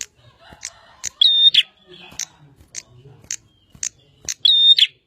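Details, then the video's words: Bar-winged prinia singing vigorously: sharp high chips alternate with a loud phrase of a level whistle held about a third of a second between two buzzy notes, given twice, otherwise quiet. "Burung prenjak gacor"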